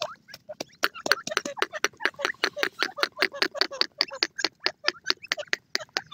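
A francolin gives a fast run of harsh, scratchy notes, about five each second.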